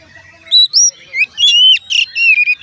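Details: Oriental magpie-robin song aimed at making other magpie-robins sing: clear high whistles, then longer slurred notes that rise and fall, delivered in separate bursts.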